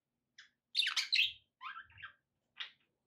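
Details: Pet budgerigars giving a short chirp, then a loud burst of tangled, buzzy twittering. Two softer whistled chirps and a final sharp note follow.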